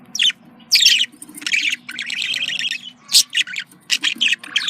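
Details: Contact calls of a budgerigar: raspy, buzzy high warbling with a few sharp squeaks, running almost continuously over a faint low hum.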